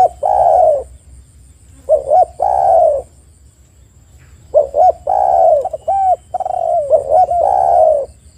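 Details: Spotted dove coos used as a lure for other spotted doves: loud, husky drawn-out coos with short hooked notes between them, in two phrases split by a pause of about a second.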